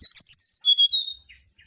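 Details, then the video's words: Mangrove whistler (Pachycephala grisola) giving a rapid string of bright, piping whistles that slide lower step by step, then fade into a few soft buzzy notes. "Kancilan Bakau Gacor"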